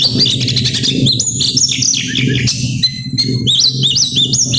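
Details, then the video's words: Grabakan song of an oriental magpie-robin, a fast medley of sharp rising whistles, slurred notes and chattering trills delivered without pause, over a steady low hum in the background. "burung kacer grabakan keluar isian"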